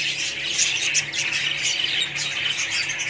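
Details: Budgerigar colony in full chorus: many overlapping shrill squawks and chirps, constant and busy across the whole moment.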